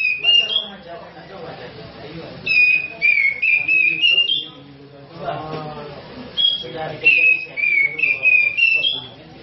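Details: Grey-cheeked bulbul, a national champion songbird in full voice, used to prompt other birds to sing: loud whistled phrases of gliding, slurred notes in three bursts, with a man talking in the gaps.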